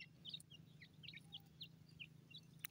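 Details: Irani teetar (francolin) chicks give short, high, thin peeps, about a dozen scattered unevenly over three seconds, above a steady low mechanical hum.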